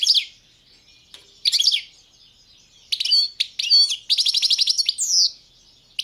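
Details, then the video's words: Competition recording of a European goldfinch, Balkan subspecies Carduelis carduelis balcanica, entered in a 2022 online world song championship: bright high twittering phrases, rapid buzzy trills and a descending slurred note, separated by short pauses. "Pesma štiglića 005/22 World Championship in Goldfinch Song"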